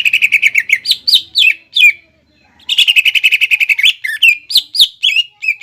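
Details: Singing greater green leafbird, 'nembak ngekek' style, played to lure and teach young or 'kuningan' leafbirds: fast stuttering chatter of high notes mixed with upslurred whistled phrases, pausing briefly before resuming an even denser rapid run.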